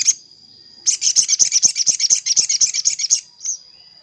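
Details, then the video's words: Sogon calling a rival, used to lure wild sogon reluctant to descend to a trap: one chirp, then a rapid chattering burst of bright high notes lasting over two seconds, ending with a single soft note, above a steady tone. "Suara pikat sogon paling ampuh_ sogon manggil lawan untuk pikat"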